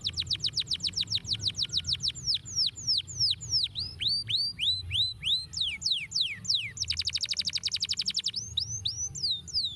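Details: Canary song used to stimulate other birds to sing: high, sweeping whistled notes falling and rising in quick series, then a dense rapid trill, over a low steady background hum.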